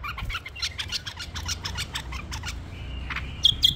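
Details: A tame pet bulbul gives a rapid run of sharp, scratchy chirps, about five a second, then ends with a thin, level whistle and a couple of bright notes.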